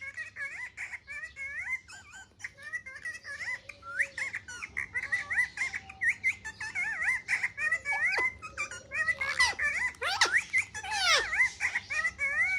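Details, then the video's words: Parrot playing with a mobile phone in a room keeps up a long run of short wavy whistled chirps, dense and steady, growing louder toward the end with a few harsh squawks. "Parrot funny talks and playing mobile"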